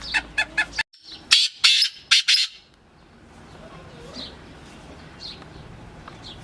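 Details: Excited black francolin calling: rapid short clicks, then a burst of loud harsh rasping notes, fading into faint chirps and background hiss.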